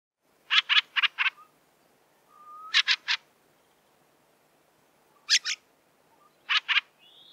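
A fieldfare gives harsh, rattling chack notes in quick bursts of two to four, with thin faint whistles between the bursts.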